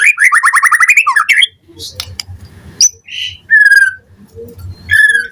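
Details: White-rumped shama singing in the morning, a lure song meant to make other shamas answer. A rapid run of rich warbled notes comes first, then scattered whistles, a sharp upward slur and a clear sustained whistle, with faint low background noise.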